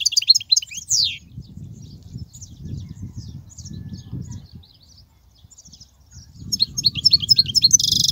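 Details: Song of a European goldfinch, used to train young goldfinches: a quick twittering phrase ending in a downward buzzy sweep, a long near-silent pause with low rumble, then another rapid burst of high chirps and a buzzy note.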